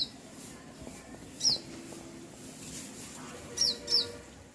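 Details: Bird chirping outdoors: one high downward-sliding chirp, then after a gap two more in quick succession, over faint low rumble and hiss.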